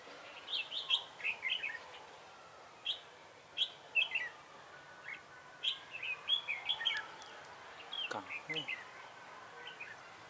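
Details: Red-whiskered bulbul acting as a trapping decoy, recorded 3 November 2017; clear whistled, slurred phrases repeated about every few seconds, with a brief knock or thump near the end.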